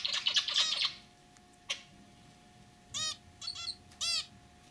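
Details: Pet zebra finches, a lively throaty male and a white female that chirps, give a scratchy buzzy burst, a lone click, then three nasal, harmonic calls in quick succession over a steady hum.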